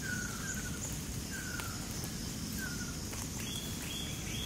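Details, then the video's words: Ruddy kingfisher, Johor Bahru, Malaysia, June 2022, Sony a9 recording: three or four falling whistled notes spaced about a second apart, then a higher chirping bird joins at the end against steady noise. "RUDDY Kingfisher Caller"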